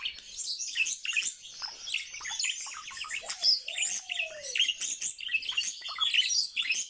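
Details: Common starling, a trained household male, delivering a rapid, varied warble of sharp chirps, squeaks and clicks, broken by a single lower, sliding whistle that arcs downward in the middle.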